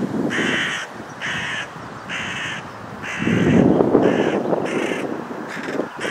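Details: Raspy, nasal caws from young hooded crows, repeated almost every second in a run of about eight, at Gorenki railroad station, Balashikha, Moscow District, Russia, June 15, 2011; a low rumble swells midway.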